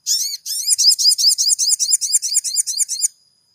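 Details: High, rapid crimson sunbird song meant to stir a caged bird into singing: a dense train of buzzy, up-and-down sweeping chirps, about a dozen notes packed into three seconds, ending abruptly into silence.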